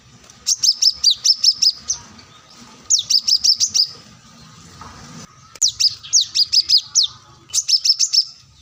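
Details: Plain-throated sunbird, a keen singer looking for an opponent, used as tutor song: four separate bursts of quick, piercing high chips, each lasting about a second and a half, with silent gaps between.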